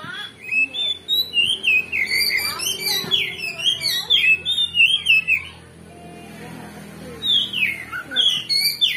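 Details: Oriental magpie-robin in full lively song used to rouse another bird's aggression: rapid runs of sharp, looping whistled notes, about three per second, breaking off briefly before resuming, over a faint constant high-pitched hum.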